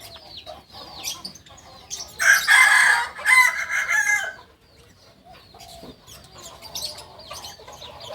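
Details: Kukuak balenggek rooster, a purebred from Solok, West Sumatra, crowing: a loud, rich, broken crow of several rapid segments lasting about two seconds, with small birds chirping and twittering before and after.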